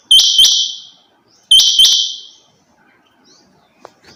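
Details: Female rain quail calling: two pairs of sharp, high, whistled notes. Each pair is a quick double note, and the pairs come about one and a half seconds apart. The background is quiet.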